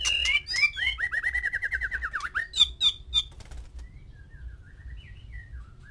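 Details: White-rumped shama, one male with six females at a breeding setup, singing to stir mating urge: a fast run of sharp repeated notes, then a buzzy falling trill and a few clear whistles that fade out.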